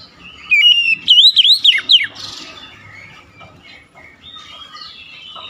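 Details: Oriental magpie-robin, or kacer, singing a short loud burst of swooping whistles followed by softer scratchy notes and faint background twittering.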